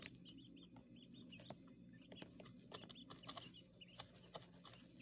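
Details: Coturnix quail chicks kept in a hotel-room enclosure in a small urban space; a busy stream of brief high cheeping notes, roughly one and a half per second, over low humming and sharp clicks.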